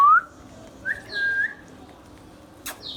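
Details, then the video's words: Short whistled notes from a pet ringneck parrot: a brief rising note, then a soft gliding whistle held about half a second, with a sharp click near the end. "Ringneck Parrot natural sounds"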